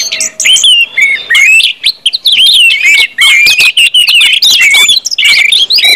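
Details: Orange-headed thrush pouring out 'ngeplong' song to spur other birds to sing; continuous warbled whistles and sharp chips in varied, rapidly changing phrases.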